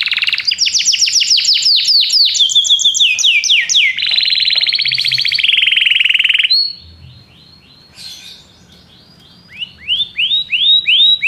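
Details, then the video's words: Belgian canary singing a loud sequence of quick falling sweeps and dense buzzy trills, then a quiet gap before soft scattered notes and a few rising-falling whistles. "canário belga cantando"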